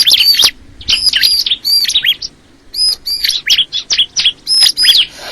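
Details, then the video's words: Crystal ciblek singing: quick bursts of high, sharp chirps and slurred whistled notes, grouped in short phrases with brief pauses between them, clear against a quiet background. "the sound of the crystal ciblek bird"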